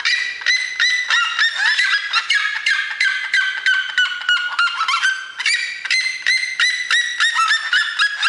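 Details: Red-legged seriema giving a long, loud chorus of rapid yelping notes, several per second, harsh and harmonic-rich, overlapping as if more than one voice joins in, with a brief dip midway before resuming.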